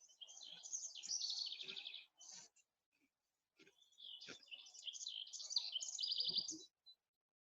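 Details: House wren singing in a field in the morning, with many song sparrows around: two long bubbling, rapid chattering bursts of high jumbled notes, each about two seconds, separated by a short pause.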